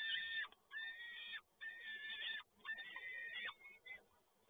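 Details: Peregrine falcon at PGE Toruń, Poland, recorded 7 May 2022 as the male delivers prey again: four long, harsh, harmonic wails of about a second each, with short pauses, over a soft hiss.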